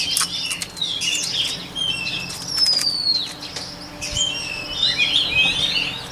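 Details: Song of a white-rumped shama, recorded for voice training: scattered high whistles and sharp clicks, then a long descending whistled slur near the middle and a burst of varied warbled phrases at the end.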